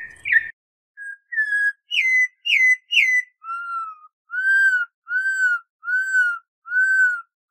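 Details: "Canto clássico dobrado" of the Brazilian Campo troupial: a few chirps and short whistles lead into a steady series of about six mellow, slightly arched whistled notes, each roughly half a second long, evenly spaced.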